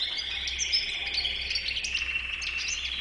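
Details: European goldfinch with a white chin giving a continuous, buzzy, trilling stream of song, sustained and fairly even, with quick high chirps sprinkled on top.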